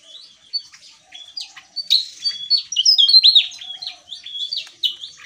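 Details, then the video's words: Javan tesia singing actively with a loud, open delivery, a style described as gacor ngeplong: a rapid, jumbled stream of high, thin twittering notes and short slurred whistles, tumbling up and down almost without pause, with no other sounds. "Burung TESIA JAWA Gacor Ngeplong"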